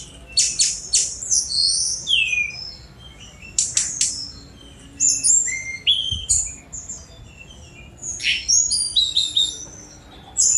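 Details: Sunda robin in a dense, lively song of high chirps, short whistled glides and rapid twittering notes, pouring out almost without pause through the whole stretch, with only brief breaks.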